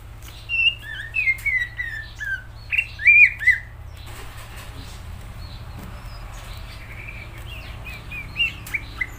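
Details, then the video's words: Greater green leafbird singing gacor: a fast opening run of varied whistled and slurred notes, then a quieter stretch with soft chattering, ending in a few high whistles; low hum throughout. "Cucak ijo gacor"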